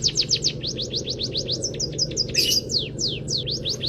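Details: Canary-filled munia training song, meant to provoke other birds to sing: a brisk series of thin descending whistles with one short harsh burst in the middle, above a low steady hum.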